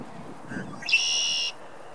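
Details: Red-winged blackbird at a pond in Ohio, USA, singing to attract a mate on an April evening: a couple of soft whistled lower notes, then a rising slur into a bright, buzzy, high trill held for over half a second, captured on camera microphone.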